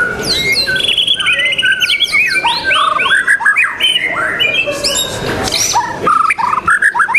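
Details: Murai batu, the white-rumped shama, in full song at a singing contest held 12 December 2021: varied clear whistles, steep slurred notes and short harsh chatters in quick succession, with further birds singing faintly behind.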